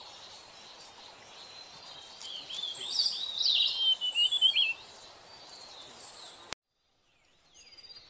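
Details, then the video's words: A blue-headed orange sparrow gives quick, high chirps and twitters for about two seconds over a steady background hiss, then the sound cuts off abruptly. "Blue Head Orange Sparrow Chirping"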